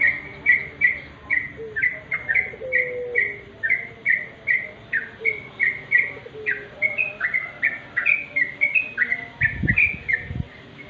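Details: Sooty-headed bulbul heard at dusk in a natural setting, delivering a long quick series of short, bright, slightly falling chirps, roughly two to three per second, with a couple of low thumps near the end.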